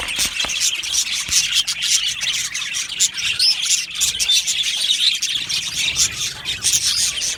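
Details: Australian budgie colony in an aviary, singing and chirping during breeding and mating; a busy stream of thin, quick tweets and chatter with occasional sharper clicks.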